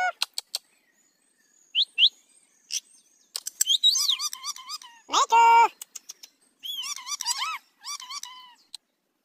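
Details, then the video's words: Pet parrot speaking Hindi, mimicking words like mummy, with clear voice-like phrases broken by sharp high chirps and whistles, including a loud harsh buzzy burst midway, in an otherwise quiet setting. "Talking Parrot in hindi | Parrot talking mummy | Parrot talking video"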